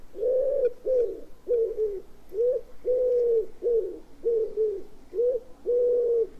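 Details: Common wood pigeon (Columba palumbus), song.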